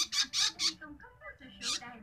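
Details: Long-tailed shrike chick being fed, giving three loud, rasping squawks in quick succession, then a quieter murmuring pause and a single final harsh squawk, indoors-sounding with faint background voices.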